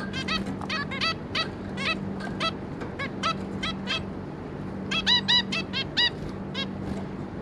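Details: Zebra finches, a pair with their three juvenile young, recorded 26 May 2022: dense bursts of short, nasal, honking beeps with many harmonics. Several birds call over one another, with a steady low hum behind.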